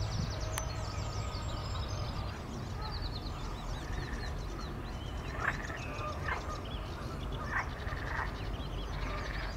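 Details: Lots of Canada goose goslings feeding and resting at close range. High, thin peeps chatter throughout, joined by a few louder, lower nasal notes near the middle and end, over low background rumble.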